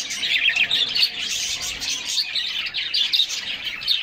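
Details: A flock of canaries enjoying a summer bath sings in a thick, lively stream of sharp chirps and rapid trills, with splashing throughout.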